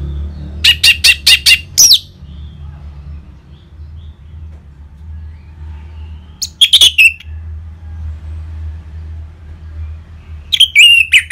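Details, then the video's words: Orange-headed thrush in the ngeplong singing style, used as a lure to stir caged birds into song: two clusters of rapid, high, chirping notes, one at the start and one near the end, with a low steady hum throughout. "ANIS MERAH Ngeplong Mantap Pancingan Burung Langsung Nyaut Gacor Pembangkit Emosi dan Birahi"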